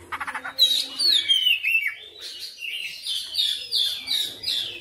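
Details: Oriental magpie-robin singing persistently and showing its full repertoire (bongkar materi): a run of harsh rasping pulses, then loud whistled notes sliding down from high to mid pitch, followed by varied warbled phrases repeated quickly.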